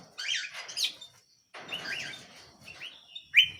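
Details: Canary singing vigorously: two rolling buzzy trills with a short gap between them, then quick rising chirps closing with a sharp loud whistle.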